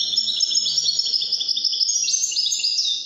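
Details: Widani goldfinch in full song, an unbroken rush of bright, rapid chirps and silvery trills throughout.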